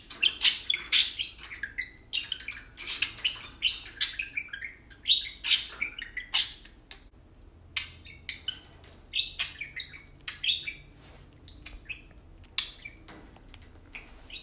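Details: Pair of tame pet parakeets talking while they play indoors: a dense run of sharp chirps, squawky bursts and short warbled whistles, busiest at first, then thinning into scattered tweets.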